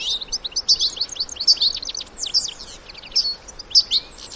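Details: European goldfinches, adults with their young in the wild, sing a lively, jangling twitter of clear high chirps, slurred notes and short trills, with the phrases broken by brief gaps.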